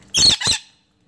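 An agitated lorikeet gives two harsh, rasping screeches in quick succession, shrill and broadband, then falls silent.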